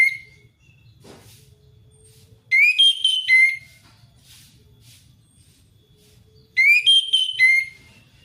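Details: Orange-headed thrush giving ngeplong ngalas song to lure a thrush that is slow to sing. Two rich, whistled phrases of rapid rising and falling notes arrive about four seconds apart, with a soft low rumble between them.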